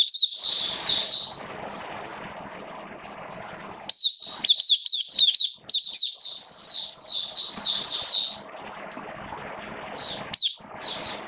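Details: Oriental white-eye (Mata Puteh) kept as a songbird, wet rainy weather, 29 September 2022: a long, lively run of high chirping, warbled notes in the middle, framed by quieter twitters over a constant hiss.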